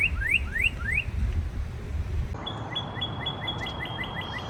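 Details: Northern cardinals chirping, first with a few fast rising slurred whistles, then switching to a steady train of short, evenly spaced higher notes repeated several times per second, with low background rumble.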